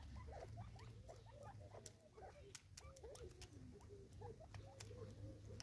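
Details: Natal spurfowl, six birds competing over food in South Africa, produce a busy chatter of soft, curved chirping notes, some hooked and rising, overlapping rapidly above a low background hum and ticking patter.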